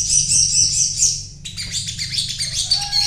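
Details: Crimson sunbird (sogon) purchased as a cage bird, in lively 'gacor' singing: a shrill sustained twitter breaking into fast, jumbled high chirps repeated over two times a second, with a low background hum.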